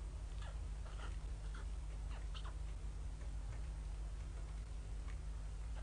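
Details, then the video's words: Hungry white stork chicks in Ustroń, Poland, calling for food while the mother is away, 15–16 May 2019, bad weather; thin wheezy mewing notes scattered through the first half, low steady background hum throughout. "gdzie jesteś mamusiu... Bocian biały"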